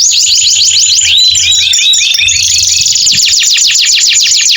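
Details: Canary singing at length to prompt silent canaries after moulting: rapid chopped trills, then looping slurred phrases, ending in a steady run of sharp repeated notes, with a faint low hum.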